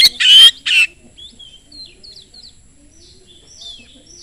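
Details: Oriental magpie-robin song played as a lure to draw other magpie-robins into singing: two loud, harsh, buzzy bursts at the start, followed by soft, scattered whistled notes and faint chirps.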